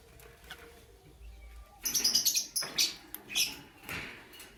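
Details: Lovebirds, Lutino and Blue Opaline, singing in the morning: after a quiet start comes a burst of harsh, high, scratchy chirps, fast and uneven, then a few louder separate squawky notes.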